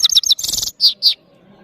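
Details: European goldfinch, the saira of Parachinar, singing: quick high chirps, a short buzzy rattle, then two loud clear notes before it falls quiet.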